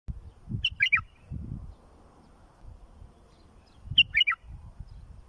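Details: Bulbul song played for tutoring fledglings: two short bright phrases of quick slurred notes, each under half a second, separated by about three seconds of quiet over a low rumbling background.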